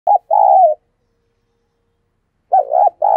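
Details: Caged decoy spotted dove, a 'gáy sung' bird, cooing to stir newly caught doves into calling: low mellow coos, a short double note then a longer drawn-out coo, two phrases separated by silence.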